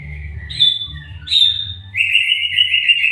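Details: White-rumped shama, called murai batu, singing: clear whistled phrases, a sweet slurred note near the start, a rising whistle, then a long buzzy trill held to the end, with low hum beneath.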